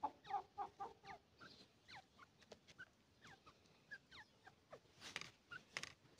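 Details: Grey francolin, with Irani and Dakni types compared: a quick run of sharp down-slurred whistled notes, several per second, opening with a few short repeated clucking notes, over a soft noisy background.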